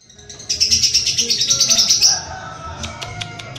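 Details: Lovebird from Pemalang, Central Java, Indonesia, giving a fast burst of high, bright chirps in rapid series for about one and a half seconds, then fainter scattered ticks and clicks with a low background hum.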